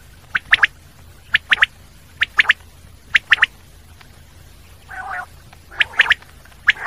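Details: Common quail giving short clipped phrases of two to three sharp notes, repeated roughly once a second, with one brief nasal, harsher note near the end over a quiet background.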